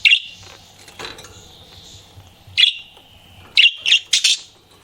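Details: Pet budgie flirting, with a loud chirp opening, a quieter stretch of soft warble, then more chirps including a rapid cluster of three near the end.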